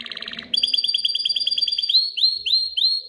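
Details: Excited male canary singing to stimulate females to mate and build a nest: a fast buzzy trill, then a rapid run of sharp repeated high notes, ending in bright rising upslurred whistles.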